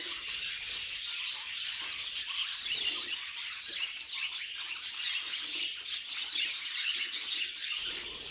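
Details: Pet budgies squawking and chattering in a steady, raspy high warble, rapid clicks and chirps overlapping, briefly easing near the end before picking up again.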